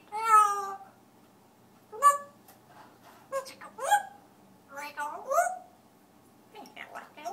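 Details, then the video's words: Singing African grey parrot indoors: a series of harmonic, voice-like notes and upward-sliding whistles in irregular bursts, some drawn out, some clipped, in a quiet room. "African gray parrot sings"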